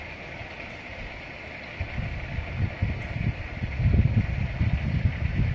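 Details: Low rumbling engine noise that swells louder partway through, with no animal voices.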